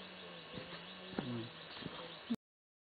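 A White-tipped Dove gives a single low, hollow coo, with a steady hum and a few soft clicks behind it.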